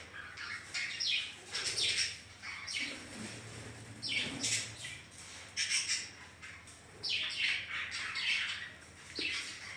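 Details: Pet budgerigars in a home colony shared with ring-necked parrots, giving harsh, squawky chattering bursts in several rounds one or two seconds apart over a low steady hum.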